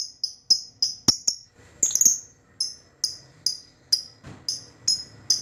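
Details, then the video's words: Young lovebird learning to ngekek, used to prompt other lovebirds to answer: rapid, regular, high-pitched chirps about three per second, with a brief harsher chattering burst partway through. "Pancingan Lovebird Paud Balibu Belajar Ngekek Bikin Semua Burung Lovebird Auto Respon"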